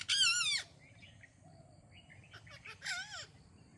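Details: An Indian parrot calls "Mithu Mithu": two loud, nasal, word-like phrases about two and a half seconds apart, with a few faint chirps in between.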